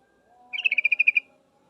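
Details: Female yellow-vented bulbul calling to a male: one quick burst of about ten bright, even chattering notes in under a second, with a faint low hum behind.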